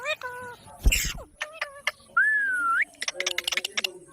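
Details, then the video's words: Parrot voice of short steady tones and clicks, then a long smooth whistled note that dips and rises at the end, followed by rapid scratchy chatter. "Parrot Sounds Videos Compilation"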